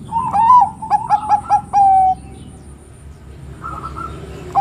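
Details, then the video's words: Bangkok-type zebra dove singing to set off other doves: a rippling coo, five short notes and a long flat ending note, then a quieter stretch with faint distant cooing and hum. "Suara PERKUTUT Bangkok Gacor NGEROT super BEKUR ini paling pintar membuat Kutut Lain BUNYI emosi"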